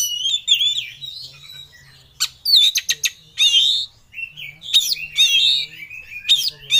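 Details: Agitated Oriental magpie-robin (kacer) seeking a rival delivers wavering whistles, then a burst of sharp clicking notes and loud sweeping, buzzy phrases in varied, rapid sequence, with steady low hum in the background.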